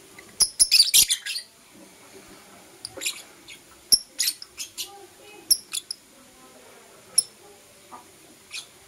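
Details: Caged lovebirds, Blue Opaline and Parblue Euwing Opaline, chirping in the morning: a dense burst of sharp, high chirps in the first second, then scattered single shrill chips every second or so.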